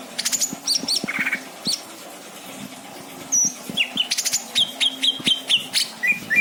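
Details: Caged greater green leafbird kept as a pet at a home in Indramayu, singing a rich varied song of sharp chirps, short whistles and buzzy trills, bursts of high notes alternating with repeated falling whistled phrases near the end.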